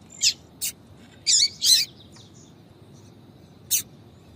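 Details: Female yellow-bellied seedeater giving a tui-tui call to attract males; sharp high chirps, with a close pair of longer buzzy notes in the middle and one final chirp after a pause.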